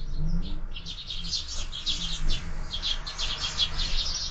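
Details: Sparrows at a window-mounted feeder in the morning, with year-round feeding: a dense, continuous stream of short, high chirps and tweets overlapping throughout, over a steady low rumble.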